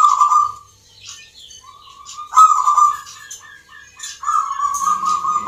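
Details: Local zebra dove (perkutut) at a singing contest in Yogyakarta, Indonesia, judged on the Mentaraman 'Nglagu Ngepat' rhythm style: low, mellow cooing held at a steady pitch, broken by a run of short, soft notes, with faint high chirps and clicks around it.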